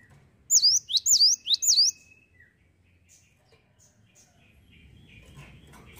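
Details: Cinereous tit singing three quick, loud, high whistled phrases, each a sharp downward sweep followed by a rising hook, delivered in a burst over about a second and a half, then near silence with faint distant chirps.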